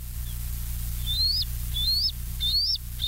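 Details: At West End, a live cam catches a bald eagle on the evening of 11 July 2023 (20:54): spaced, high piping whistles, each rising steadily before a sharp downward flick, roughly every half second, over a low steady hum.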